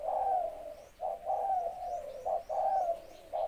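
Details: Red-whiskered bulbul, a Malay-line breeding male with a small, clear voice and almost complete plumage, ready for luring wild birds: smooth, rounded warbling notes in quick succession, each phrase slurring downward, in a quiet setting.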